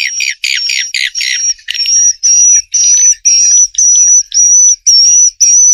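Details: Swiftlet sound: a series of separate high chirps, about two per second, each a short buzzy note ending in a clear whistle; the first few are rougher and closer together.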